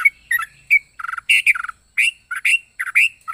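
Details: Yellow-vented bulbul with an unusual voice making harsher, rasping, squawk-like chirps mixed with short clear notes, delivered in uneven bursts with short silences between.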